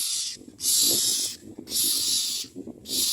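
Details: Myna chicks begging while being fed: harsh, hissing rasps in bursts of about a second, repeated roughly once a second with short gaps, over a low murmur of background sound.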